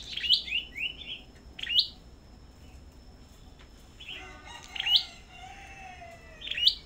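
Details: Sâu đầu đỏ at a bird farm, in fighting song. Sharp, high upward-flicked chirps come in small groups, and a softer, lower drawn-out note is heard near the end.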